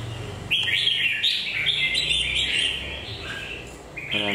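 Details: A red-whiskered bulbul, red-legged, beak moulting, with a pale spot on the shoulder, gives a sustained chattering warble of slurred whistled notes. A man's voice cuts in at the very end.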